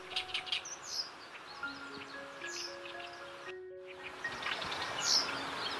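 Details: Oriental Reed Warbler singing from riverside grass in inland northern Harima, Hyogo, Japan, in its breeding season while catching insects: harsh, croaking, chattering phrases in quick bursts, with steady soft music tones running underneath.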